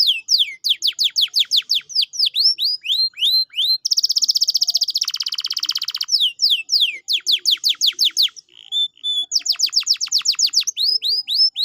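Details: Canary song used as a prompt to make a lazy canary sing again: fast series of falling whistled strokes, a loud dense buzzing roll lasting about two seconds, then more repeated whistled sweeps and a final rapid trill.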